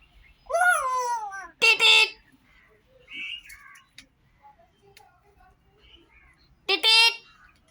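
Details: Talking common myna produces a falling, voice-like phrase followed at once by a harsh, bright burst, a soft murmur mid-clip, then another strident harmonic outburst near the end.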